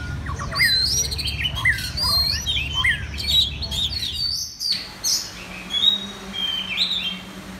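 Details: Red-whiskered bulbul singing at a song contest in central Vietnam: short warbled whistles rising and falling in quick phrases for about four seconds, then sparser high thin notes, over a low rumbling background.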